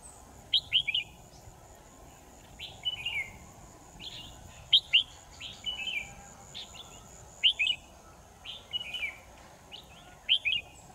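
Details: Red-whiskered bulbul singing as a trapping decoy, 10 December 2018: short bright whistled phrases of two or three notes repeated roughly every second, against a constant faint hum.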